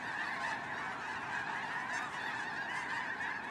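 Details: Snow geese massed on migration, recorded with drone footage: thick layered honking from very many birds, steady and unbroken.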